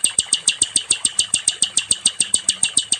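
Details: Sikatan londo, or nightingale, in a training recording for songbirds: a rapid, even train of high, clipped chipping notes repeated several times a second, over a faint low rumble.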